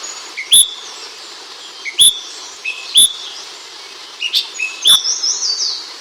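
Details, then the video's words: Ashy bulbul master-bird chirps: crisp whistled notes repeated roughly once a second, each sharp and slightly slurred, ending in a softer burst of twittering notes. "Master Bird Chirping Sound Effect Hemixos Flavala/Brinji Kelabu"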